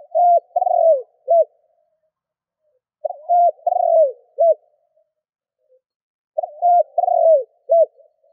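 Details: Spotted dove kept as a lure bird to draw in wild doves, cooing loudly in three phrases about every three seconds: a short note, a long falling coo, then a brief clipped final note, with silence between.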